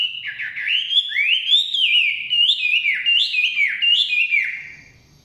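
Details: Chinese hwamei singing in the forest: loud, clear whistled phrases sliding up and down, with rising and falling notes strung together steadily before fading at the end.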